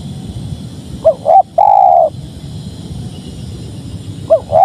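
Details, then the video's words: {'caption': 'One full spotted dove song phrase, two short rising coos and a long sustained coo, then a quiet gap before the next phrase begins at the end; low rumbling background.'} "Suara Tekukur Padu Enak Didengar"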